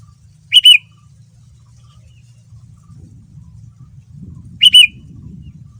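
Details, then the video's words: Male sooty-headed bulbul (kutilang) song used as a lure to draw other bulbuls into answering: two short, bright whistled double notes about four seconds apart over a faint low hum. "Kutilang Super Gacor Full Isian Mahal, Semua Burung Kutilang Ikut Nyaut dengan pancingan ini"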